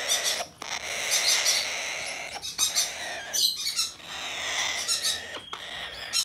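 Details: Captive-bred, hand-tame blue-eyed cockatoo in Japan, 6 December 2019, giving long, harsh, raspy screeches in four drawn-out bursts of about one to two seconds each, separated by brief pauses.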